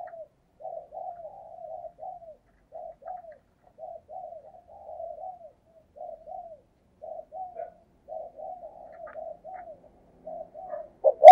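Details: Lure recording of a spotted dove cooing to attract wild doves, soft low coos running in a quiet, steady series of short notes, ending with a sudden louder knock.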